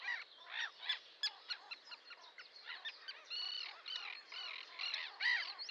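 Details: Many Sandwich terns calling together: loud, rasping, scratchy calls overlap in quick succession, some higher and more whistled, keeping up a steady clamour throughout.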